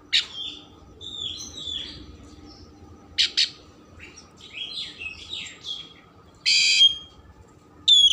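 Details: Oriental magpie-robin song, richly varied, used to stir emotion and tail opening: faint sliding whistles between loud harsh buzzy bursts, with a steady low hum behind.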